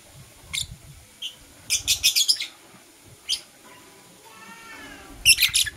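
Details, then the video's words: Blue opaline and parblue euwing opaline lovebirds heard in the morning, sharp high chirps in short rapid clusters, a lone squeak midway, then a loud shrill burst at the end; faint low thumps underneath. "Lovebird Chirping Sounds"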